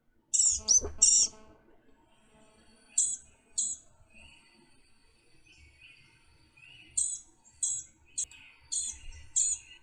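Blue-gray Gnatcatcher giving thin, high, buzzy notes in short bursts of two or three, spaced every second or two, with soft lower chatter and faint laughter.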